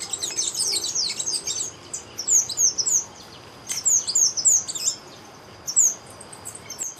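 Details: Chestnut-vented conebill, known in Brazil as figuinha de rabo castanho, singing: thin, very high, sibilant notes given in quick jittery bursts of three to five, with pauses between, over a soft background hiss.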